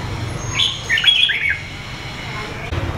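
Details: Red-whiskered bulbul from A Lưới, Huế, Vietnam, wild-origin with red eye patches, two seasons, singing one quick phrase of clear, lilting whistled notes that slide up and down, then quiet with low background hum.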